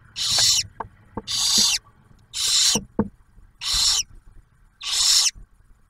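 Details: Barn owl at a nest camera at Ottawa National Wildlife Refuge near Oak Harbor, Ohio, as the male delivers food and the female shares a first meal with a newly hatched owlet; harsh breathy hissing screeches, five bursts roughly every second.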